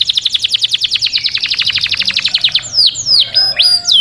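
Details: Canary singing: a long, fast rolling trill of high repeated notes, about eight per second, followed by several bright whistled swoops dipping and rising again.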